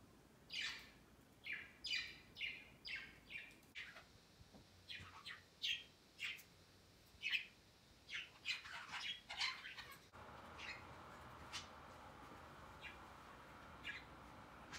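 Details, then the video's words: Pet budgies climb and flock on a large Christmas tree beside their cage on Christmas Day, their first Christmas, giving a steady run of sharp, high chirps, roughly one or two each second, in busy clusters before quieter, spaced calls. "Budgies Flocking on A Christmas Tree 圣诞树上的小鹦鹉"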